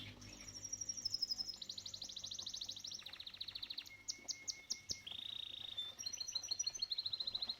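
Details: Canary song next to a koi pond, a clean run of fast rolling trills, each phrase a rapid train of high notes changing pitch every second or so, with a sustained whistled tone and pulsed buzzy segments.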